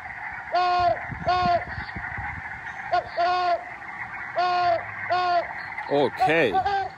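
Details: Great horned owl playback, one of its many calls: short, nasal, mid-pitched hoots in pairs roughly every second, over a steady background hum, with a brief voice near the end.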